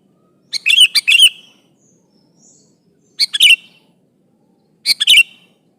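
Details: Lively sooty-headed bulbul challenging an opponent: a longer bubbly run of quick chirps and short whistles, then two shorter similar phrases about two seconds apart, over a quiet background.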